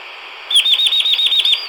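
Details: A Chestnut-vented Nuthatch (Sitta nagaensis) gives a rapid, high, slightly wavering trill of about ten notes lasting just over a second, in the montane evergreen and pine forest of Natma Taung (Khaw Nu Soum) National Park, southern Chin State, Myanmar.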